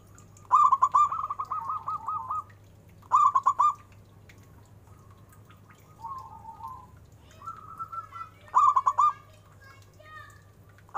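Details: Local zebra dove with a notably big voice: three loud bursts of quick, rolling staccato coos, with softer trilled coo phrases between them and a constant low background hum.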